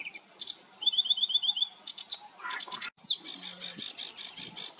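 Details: Varied song of a sedge warbler, 28 June 2022: scratchy notes, a clear rapid trill of dry ticks, lower churring phrases, a downslurred whistle, then fast repeated rasping buzzes; faint low hum.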